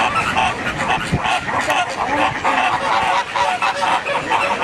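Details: A flock of pink flamingos in San Diego, giving dense overlapping nasal honks in steady irregular bursts, mixed with crowd noise and background chatter throughout.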